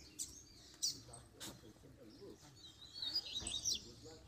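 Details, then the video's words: Double-collared seedeater calling and singing after moult, used to fire up other seedeaters: sharp high chirps and short twittering notes scattered through, with a few brief clicks over low background hiss. "Coleiro Chamando e Cantando Para Foguear"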